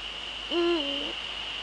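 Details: Male Eurasian eagle-owl recorded in the Netherlands at 18:00 on 30 January 2013, giving a single deep hoot that rises briefly, holds, then slides lower into a drawn-out second part, over a steady high electronic whine.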